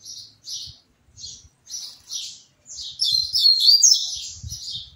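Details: A captive Double-collared Seedeater moving from perch to perch sings short high chirps spaced about half a second apart, then breaks into a dense, twittering, buzzy run, with soft knocks in the background.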